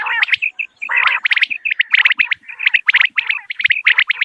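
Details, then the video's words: Common quail calling in the morning, meant for drawing birds near when hunting: a rasping low burst opens, then repeated triplets of crisp high notes about once a second. "Morning Quail Call 2025 صوت السمان واضح للصيد Batair Ki Awaz"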